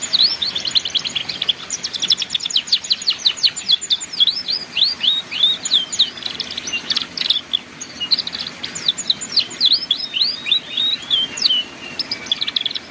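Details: Canary singing in the ngeriwik style, meant as a model for young canaries: continuous dense twittering, rapid trills alternating with curved whistled sweeps, sustained without pause, over light hiss.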